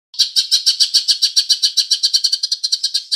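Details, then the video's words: Green leafbird singing a fill-in that mimics house sparrow: a steady run of rapid, buzzy, high chirps, about three to four per second, continuing without pause for three seconds. "Cucak Ijo Isian Burung Gereja"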